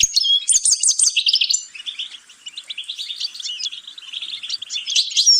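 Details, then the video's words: European goldfinch singing: a fast, high twittering run of bright, repeated trilled notes in the first two seconds, then a softer, quieter chattering warble of clipped notes continuing to the end. "غناء طائر الحسون"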